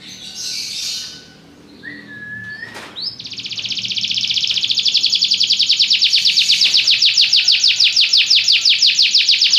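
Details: Belgian canary: a soft high rustle and a short flat whistle, then a rising note launching into a long, loud, rapid buzzing trill of evenly repeated high pulses that slows slightly near the end.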